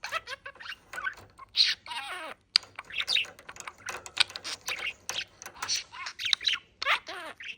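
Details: Male budgerigar kept in Istanbul, Bahçelievler, chattering and forming sentences: a fast run of scratchy warbles, clicks and speech-like syllables, bursts spaced by short pauses, with a faint steady hum behind.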